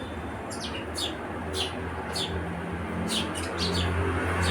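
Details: House sparrow giving short, high chirps in quick bursts, about one or two a second, some doubled, over a steady low hum.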